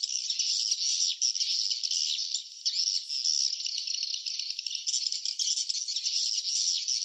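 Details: A chorus of swiftlets at the nest, loud and continuous high rattling twitter with short dips in volume, many overlapping rapid chirps.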